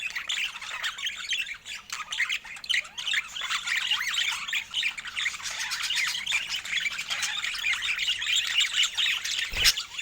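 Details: Budgerigars delighting in fresh food, filmed in Scandinavian natural light: steady, thick chorus of raspy warbling and chirps from several birds, with a sharp click near the end.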